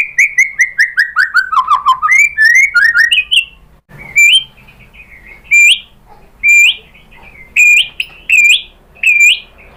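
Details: White-rumped shama lure song to provoke a reply: a descending series of rapid whistled notes, then loud sharp up-slurred whistles spaced about one second apart with silent gaps.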